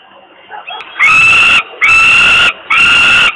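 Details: A falcon chick hiding under the camera in Włocławek, Poland, keeps crying from hunger on 27 May 2022. Faint soft whines lead into three loud, grating, drawn-out screeches, spaced roughly one second apart.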